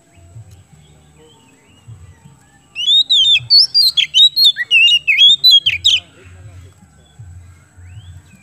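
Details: Oriental magpie-robin, kept in Indonesia, singing to encourage other birds: after a quiet start, about three seconds of loud, rapid, varied whistled phrases with rising and falling notes, then silence again over a low rumbling hum.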